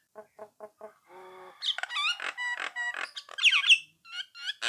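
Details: Nias hill myna song used to goad rival birds into answering: soft low repeated pips, a buzzy nasal note, then loud varied whistles, harsh notes and sharp rising squeaks in quick succession.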